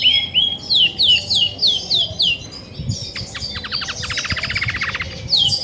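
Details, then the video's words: Caged female Belgian canary, grey and white, singing much when ready to brood: a run of descending slurred whistles about three per second, then a rapid buzzy trill of repeated short notes. "Fêmea Belga Cinza & Branca. Canta muito"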